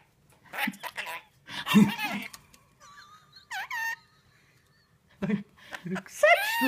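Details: A pet scaly-breasted lorikeet (Trichoglossus chlorolepidotus), which talks, swears and imitates sirens, chatters indoors in harsh, speech-like bursts with a short rising-and-falling siren-like whistle, while a person's voice is also heard.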